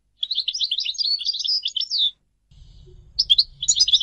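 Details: European goldfinch song: a two-second run of quick tinkling twitters ending on a downslur, then a low rumbling background noise under renewed high chirps.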